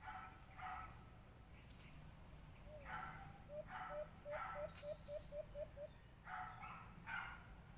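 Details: White-eared brown dove call played through a Bluetooth speaker during bird hunting: one low slurred hoot, then a quick run of about nine short, even, low hooting notes. Louder harsh bursts come and go around it.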